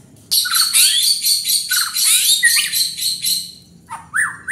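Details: White-rumped shama singing vigorously (gacor): a loud, dense torrent of rapid chattering and whistled notes, several per second, followed by a pause and a few ringing rising whistles.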